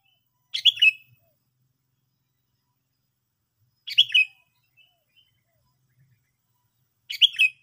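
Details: Sooty-headed bulbul producing crisp, bubbly chirp bursts roughly every three seconds, each a quick tumble of bright notes, in an otherwise quiet setting.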